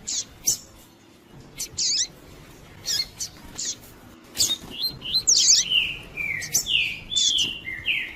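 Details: Pure "tui tui" song of a double-collared seedeater, played to excite males: scattered sharp high chirps give way to a series of loud, downward-sliding whistles that repeat roughly every half second toward the end.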